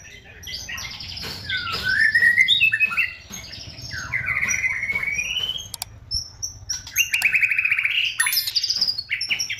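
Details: White-rumped shama singing as a lure to stir other shamas into singing: dense, continuous, loud song of rising and falling whistles mixed with fast chattering trills, interspersed with sharp clicking noises.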